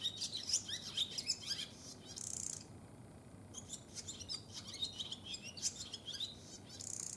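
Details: Wintering male barn swallow inviting a female to the nest on a February day in a cold region: busy high twitters and chirps with brief buzzy bursts, continuous warbling throughout.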